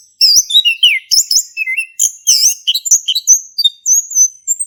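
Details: Energetic 'ngeplong' song of a male orange-headed thrush, Indonesia, played to coax a quiet thrush into singing; dense high twittering mixed with downslurred and upslurred whistles, long drawn whistle near the end.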